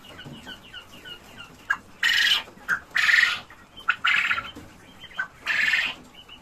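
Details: Cochin chickens and roosters kept in cages on a farm, giving loud harsh squawking bursts and clucks at irregular intervals, with faint higher chirps in the background.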